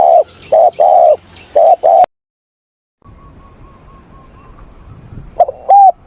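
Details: Spotted dove in morning voice training, a burst of low, soft coos, then silence, a faint series of thin repeated whistles, and a final pair of loud coos.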